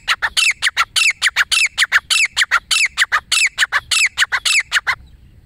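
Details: Calling of a lone wild female grey francolin (desi teetar), a sound used to attract birds for hunting. Rapid harsh, squeaky notes repeat in grouped phrases almost twice each second for five seconds, loud and close.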